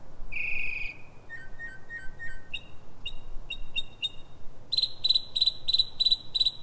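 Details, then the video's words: Northern mockingbird singing in the pre-dawn dark, 3:44 am, Silver Spring, Maryland, USA: a varied medley of a long whistle, a series of lower notes, spaced clicks, then fast ringing repeated notes. "Northern mockingbird (Mimus polyglottos) — night singing"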